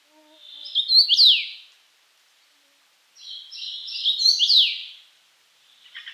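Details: Common rosefinch singing two short whistled phrases: a run of clear notes builds into bright, rising-then-falling sweeping whistles, with a pause of about a second and a half between phrases and a third phrase starting at the end; no other sounds.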